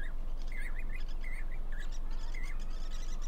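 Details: Jacobin cuckoos, several birds on a wire at Damdama lake in India during monsoon time, calling back and forth: quick wavering whistled notes in short bursts with scattered higher chirps above a constant low background hum.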